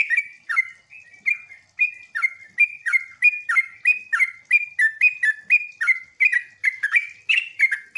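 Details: Sooty-headed bulbul singing a lure song to set other bulbuls calling back, in the ngeropel ngecruk nembak style: lively, rapidly repeated fluty phrases, about three a second, each a sharp chirp sliding into a rounded whistle.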